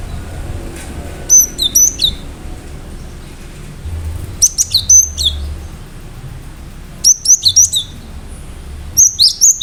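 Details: Cinereous tit in full, lively song with sharp notes: four bursts of three to five high, ringing, clipped whistles, each with a lower second part, spaced roughly two to three seconds apart over low background hum.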